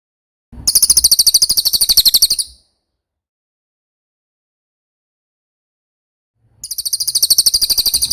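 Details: Cililin (velvet-fronted nuthatch) on a songbird training track: two loud, fast, high trills about two seconds each, separated by four seconds of silence.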